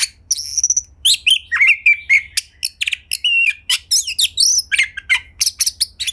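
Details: Captive white-rumped shama singing as a prompt for other shamas; a high whistled note, then downslurred whistles, harsh chirps and quick trilled phrases, varied and energetic throughout.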